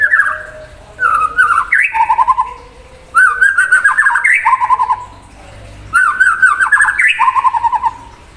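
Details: Singing hard to stir up an untrained rival, a white-rumped shama delivers rich varied phrases. These mix fluty whistles, rising slurs and buzzy chattering trills in bursts of about two seconds, separated by short quiet gaps.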